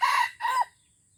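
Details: Aceh red junglefowl at an initial lure trial, Indonesia: a brief two-part crow, each piece strident and rich in overtones, separated by a tiny gap and followed by stillness.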